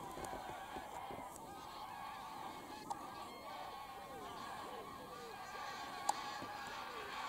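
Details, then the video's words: Lots of geese taking off and landing at Wicken Fen and Burwell Fen, evening of 23 September 2016; repeated curved honks from nearer birds over a continuous flock chorus, a brief person's voice nearby. "Lots of Geese take off & land"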